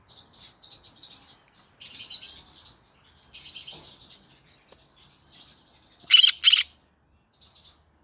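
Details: Pet green-cheeked conure singing in the evening: high, scratchy chattering in quick bursts, with a pair of loud harsh squawks near the end and brief pauses between phrases.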